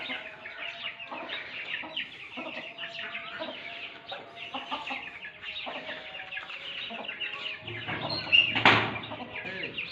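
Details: Mother hen of the Lasani breed calling her chicks: a dense stream of soft clucks and high chick peeps, with a brief louder burst near the end.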